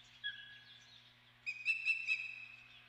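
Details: Osprey at the Dunrovin Ranch nest on 28 May, a soft whistled note followed by three sharp, bright chirps over a sustained high tone, with a low steady hum in the background.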